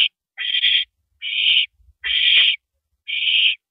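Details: Barn owl nest at night, 2:42 AM on 7 April 2012, as prey, a rabbit, arrives; four breathy rasping screeches, each about half a second, separated by short silences with faint thumps.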